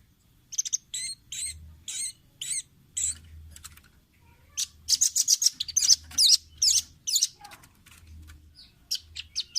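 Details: Red-billed nuthatch (rambatan paruh merah), a caged-bird training recording: bursts of sharp, high chirps in quick series, about two per second, with a denser run of rapid twittering in the middle and a faint low hum beneath.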